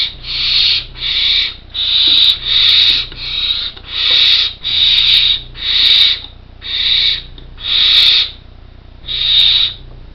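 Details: Four well-developed Barn Owl chicks nearly ready to fledge, in an artificial nest box in Co. Kerry, give loud hissing snores, about ten rough breathy bursts of roughly half a second each, packed closely over ten seconds, over a low steady hum.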